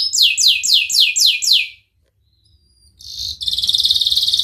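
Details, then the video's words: Canary with an ornate song for training canaries: five loud downslurred whistled notes in steady rhythm, a brief silence with faint thin tones, then a bright buzzy high trill. "Burung kenari gacor Cengkok Mewah durasi panjang cocok buat terapi kenari agar cepat bunyi gacor"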